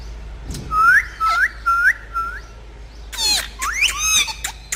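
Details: A talking parrot whistles four rising upslurred notes at an even pace, then breaks into harsher overlapping squawks and warbled calls.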